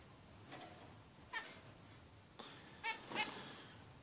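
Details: A 16-day-old young zebra finch gives short, nasal, buzzy calls in quick, irregular bursts.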